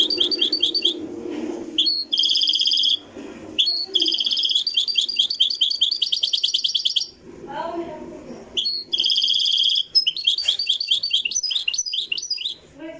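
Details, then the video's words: European goldfinch of the Marrakchi singing style in a live recording: rapid twittering, tinkling phrases broken by short pauses, with low murmuring voices beneath in places. "تغريد الحسون المراكشي"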